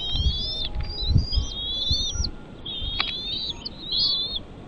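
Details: At a bald eagle nest holding chicks, clear high whistled chirps with faint overtones come in wavering, stepped phrases, about one a second, over a soft background hiss and a few low knocks early on.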